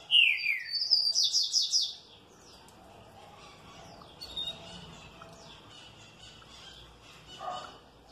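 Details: Well-kept green-winged saltator answering happily: a loud whistle sliding down, then a rapid run of buzzy, repeated high notes lasting about two seconds. Quieter chirps and faint background noise follow.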